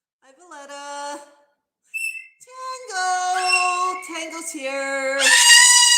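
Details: A pet parrot screeches noisily indoors: loud, harsh, harmonic-rich squawks in bursts that grow louder toward the end, mixed with a person's voice.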